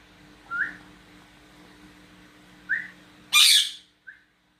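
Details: A cockatiel kept as a pet exchanges whistles with a person: three short rising whistled notes, plus a loud, rasping squawk near the end before a final faint whistle.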